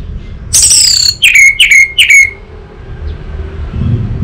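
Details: Orange-headed thrush from Singaraja, North Bali, Indonesia, singing as a lure and master recording for a young bird: a loud high burst, then three rapid downslurred whistled notes, then quiet with a faint low rumble.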